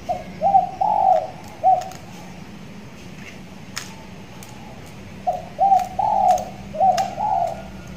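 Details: Young tethered spotted dove in a hanging cage, six months into training and starting to call often: two bursts of low coos, each made of several short rounded notes, with sharp clicks and a faint background hum.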